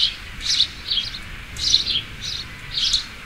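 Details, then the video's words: Sparrow chirps come in short paired bursts, bright and slightly buzzy, spaced about a second apart. "sparrow and sparrow voice"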